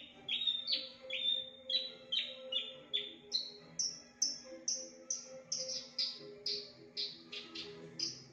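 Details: Mimicking song of a Javan bush lark, copying birds such as Ciblek, Prenjak, Kenari and Ketilang: rapid high sharp notes, rising in pitch midway, roughly two per second, over a faint background hum.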